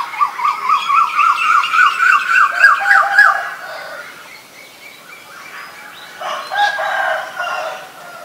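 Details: Asian koel calling: a rapid run of short, sharp notes that climb steadily in pitch over about three seconds, then a pause followed by fainter, scattered repeats of similar notes.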